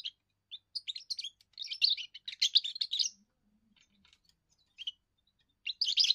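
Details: First song of a young European goldfinch, sung to hold territory and draw females: two bursts of rapid, jingling twitters with a pause and scattered soft notes between, then another tinkling phrase at the end.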